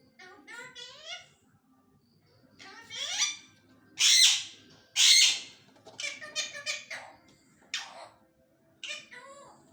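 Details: Pet talking parrot indoors repeating its learned words: a run of raspy, speech-like syllables with harmonic stacks, then two loud harsh squawk-like bursts near four and five seconds, followed by shorter chattering phrases.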